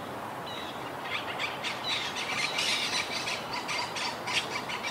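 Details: A wild colony of Monk parakeets, rebuilding after hurricane Irma in 2017, chatters from high treetops. Dense, scratchy squeals and short harsh notes repeat quickly and unevenly, forming a constant noisy flock chorus outdoors.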